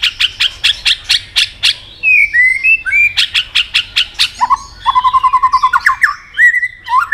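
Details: White-rumped shama in a singing contest, many-voiced: bursts of sharp clicking notes, then sliding whistles, a rapid rattled trill and rising whistled phrases in varied succession.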